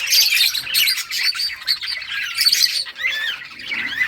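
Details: Many budgerigars chirping as they play in summer breeding time; busy, scratchy warbling with short squeaks and a few curved whistled notes near the end.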